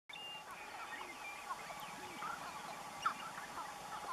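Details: Sharp-tailed grouse displaying at a lek. Overlapping clucks, short nasal whines and low hollow cooing notes run together throughout. A sharper cackling note stands out near the three-second mark.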